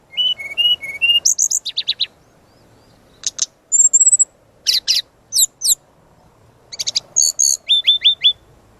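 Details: Brown-chested jungle flycatcher master song used for training: varied bursts of high whistled notes, short slurred phrases and rapid clicking trills, separated by brief pauses.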